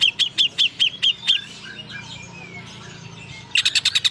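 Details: Greater green leafbird in lively song that includes mimicked prinia material: six evenly spaced, bright chirps at a steady pace, a quiet gap, then a fast burst of rapid, high, repeated notes.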